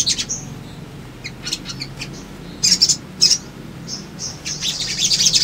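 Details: Sunbird lure recording: sparse, thin, high chirps and short squeaky notes, then a denser bright twittering run at the close, over a faint low hum.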